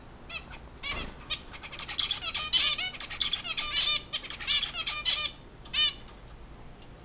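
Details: Zebra finch (Taeniopygia guttata), song.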